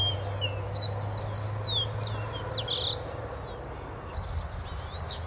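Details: Chorus of Grayish Baywings (Agelaioides badius) singing complex melodies in spring breeding season: overlapping high whistles and slurred chattering notes, each bird on its own beat, over a low steady hum.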